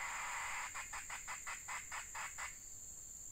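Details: Red junglefowl hen kept as a decoy to lure wild birds, on a rainy day: about eight short, harsh, broadband clucks come at an even pace over two seconds, above a steady high insect drone.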